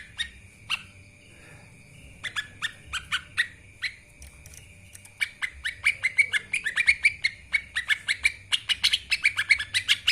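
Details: Lesser green leafbird singing in "gacor narung" style, used as a tutor recording for training birds. Scattered sharp notes grow into a fast, dense chatter of clicky, buzzy syllables over a steady thin whistled tone.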